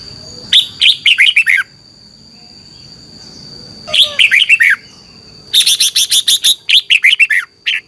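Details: Red-whiskered bulbul morning competition song, used to stimulate other birds to sing: three bursts of bright, descending whistled phrases of quick chirps, the last one longer and denser, with a steady high electronic tone throughout.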